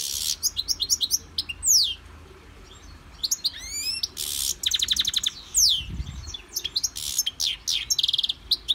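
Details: Caged European goldfinch in song training, singing inside a Victorian brass cage: rapid liquid twittering with short buzzy trills, steep downward whistled sweeps and bursts of fast clicking notes, delivered in quick, varied phrases with brief pauses.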